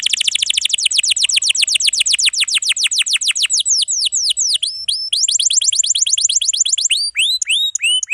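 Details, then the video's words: Atlantic canary singing long rolls for tutoring young or silent canaries: a long, rapid series of descending sweeps that slows gradually, then varied, spaced chirps and twisting notes. "KENARI GACOR ROLL PANJANG"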